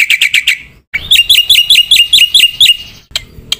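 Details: Black-winged myna in full song packed with mimicked fill-in phrases: a fast run of five sharp chirps, a short break, then a string of hooked, upward-flicking whistled notes about every fifth of a second, ending in scattered clicks.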